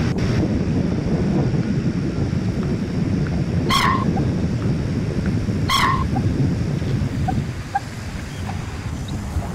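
Common moorhen giving two abrupt, harsh croaking notes about two seconds apart, over a steady low rumble of wind or water.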